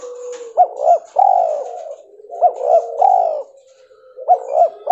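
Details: Spotted dove in white albino mutation form, calling in three regular phrases about one and a half seconds apart: a double upswept note then a drawn-out coo, linked by low purring.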